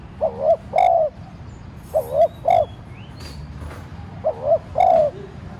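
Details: Spotted dove used as a lure, cooing to prompt wild doves to answer. Three two-note coo phrases, soft and hollow, the second note longer and rounder, with a brief high chirp from another bird between them.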